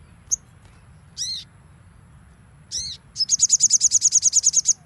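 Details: Crimson sunbird song in the nembak style, used as a training recording: thin, very high chirps, two short harmonic sweeps, then a fast, evenly repeated high-pitched trill of about fifteen notes over quiet low background hum.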